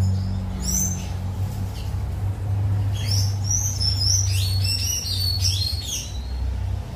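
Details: A tanager at Pontal Verde sings a fast run of high, squeaky, sliding notes in a twittering burst, over a steady low rumble of traffic.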